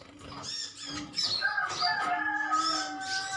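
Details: Colony of metallic-green sunbirds chirping at one another: quick high chirps repeated several times a second, over steadier lower whistled tones.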